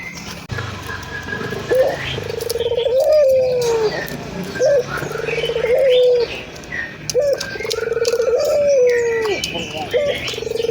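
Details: Energetic local ringed turtle dove, Indonesia, used to get doves cooing quickly: a run of low coos with an abrupt rising start and long descending tail, spaced about every two seconds, with faint background noise.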